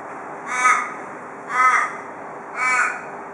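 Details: Australian raven, a male paired bird visiting a porch daily in Perth, Australia, giving the local 'cock a doodle doo' style call: three harsh, harmonic, drawn-out caws spaced about one second apart, with steady background hum.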